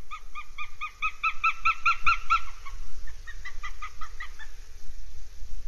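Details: Northern goshawk at the nest, Abernethy Forest, Scotland, 3 July 2022. A rapid series of loud, nasal kek notes repeats about four times a second, then fades into softer, spaced notes.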